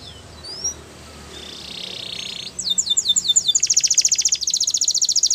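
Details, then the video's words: Training song of a canary: a faint opening with a few thin whistled slurs, then from mid-clip loud, rapid, buzzy high trills in several quick-changing rolls, with faint background hiss. "Canaries Singing !! The Best Canary Training Song"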